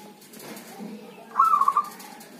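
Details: Zebra dove, healthy and owned, singing in rain or drizzle; a single brief stuttering coo phrase after a quiet start, with faint background rustle.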